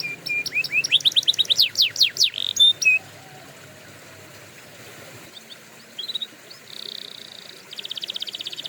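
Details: Canary song for training: a burst of quick descending whistled notes, a short pause with near silence, then softer chirps and a bright sustained buzzy trill.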